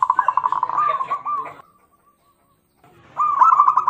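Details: Local zebra dove lure song to stimulate other birds: a fast, stuttering trill of cooing notes that slows and fades, a silence, then the rapid trill starting again.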